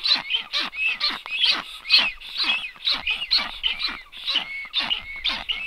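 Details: Black stork nest on 9 July 2023 when an unringed stranger lands, followed by a second stork on the camera; rough rasping calls come in rapid, uneven pairs, about two each second.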